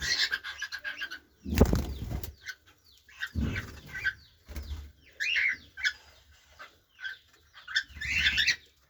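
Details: Cockatiels kept in an aviary setup in Pakistan give short chirping and whistled calls among bursts of fluttering wings.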